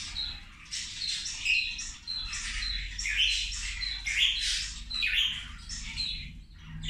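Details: Several zebra finches feeding at lunchtime, bursts of nasal, honking calls mixed with short thin high tones, rising and falling in loudness every second or so, low hum behind.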